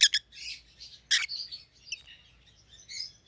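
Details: Rosy-faced lovebirds, white-headed opaline mutations kept as pets, make dense chattering: two harsh chirps open, a loud squawky note follows at one second, with continuous high twittering and warbles around them.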